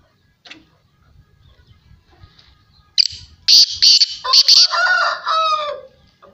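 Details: Black francolin, known locally as kala teetar, giving its loud call: a faint click, then a burst of harsh, rasping high notes in quick succession over about three seconds, ending in lower, drawn-out grating tones against a quiet background.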